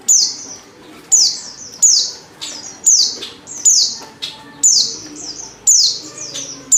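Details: Female Oriental white-eye call for luring males into singing, loud high downslurred notes, each a bright sharp chirp falling in pitch, repeated about once a second with quiet gaps between.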